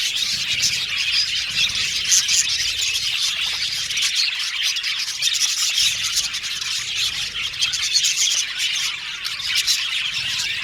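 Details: An aviary colony of budgie parakeets keeps up unbroken high-pitched chatter, many overlapping chirps and warbles blending into a busy buzzing twitter, with brief louder peaks scattered across the recording.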